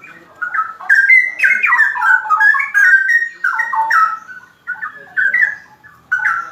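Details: Straw-headed bulbul delivering a fast, rolling ropel song of clear, liquid whistles that rise and fall in tumbling runs, easing into shorter phrases near the end.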